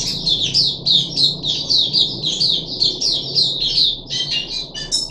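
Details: Puff-backed bulbul kept in a cage, third day after a deworming treatment, 14 July 2021: shrill chirping notes repeated about three times a second in an unbroken run, becoming harsher near the end, over faint low hum.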